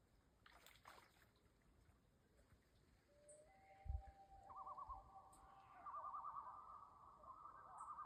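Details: At a lake, male Common Loons call in the background near a mother with young, giving long, mournful held notes that step upward and break into a wavering quaver, over lapping water and a soft thump.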